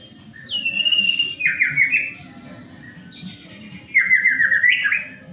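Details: White-rumped shama singing to encourage other shamas to start singing quickly: a high clear whistle dropping into a rapid warbled trill with an upward flick, then the phrase repeated after a pause, soft low rumble beneath.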